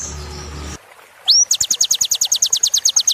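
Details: Sunbird song for tutoring caged birds. After a brief hiss, a sharp upward-swept whistle leads into an even, rapid series of high, clipped notes, about three per second.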